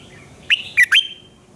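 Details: Morning singing of a red-whiskered bulbul, meant as a training sound: one crisp phrase of three quick whistles, the last rising then trailing off.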